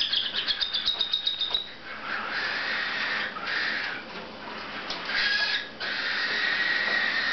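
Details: Three dominant silver cockatiel chicks beg while being fed by their parents, giving a quick run of high chirps and then a continuous harsh, buzzing rasp.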